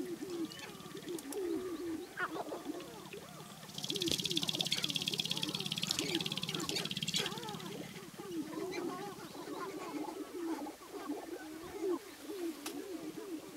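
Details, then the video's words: Spring lek of male sharp-tailed grouse in the Namekagon Barrens, Wisconsin, dancing and fighting for display grounds; dense chorus of short looping coos and clucks over a steady rattling stamping sound, with a loud buzzy hiss midway. "Sharp-tailed Grouse Lek"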